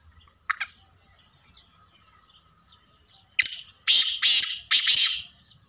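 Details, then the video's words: Black Francolin call: a single sharp note, a pause, then a loud burst of four harsh, grating, ringing syllables in quick succession. "black Francolin voice"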